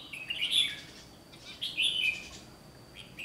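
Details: Red-whiskered bulbul in training for song competition, recorded 1 July 2020 during trapping; two loud, rich warbled phrases roughly a second apart, bubbly and high, over light background noise.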